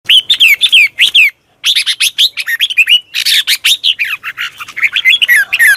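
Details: Red-whiskered bulbul calls played to lure new birds or draw birds out of a cage: loud, rapid, warbling chirps sweeping up and down, delivered in dense bursts with a brief pause.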